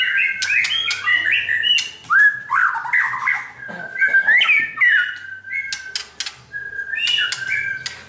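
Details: White-rumped shama, a bird being trained for a champion mentality, sings a loud, varied song of rich whistled phrases that rise and fall, broken by sharp clicks and short pauses.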